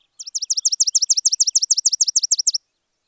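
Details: Spizella sparrow from semi-open country delivering a quick, clean trill of about sixteen identical down-slurred notes, roughly seven per second, lasting just over two seconds against a quiet background.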